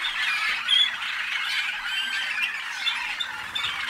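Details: Waterslager (malinois) canary, captive-bred in North Canton, Ohio, USA, in 2010, singing a continuous run of warbled, bubbling notes with brief clear whistles.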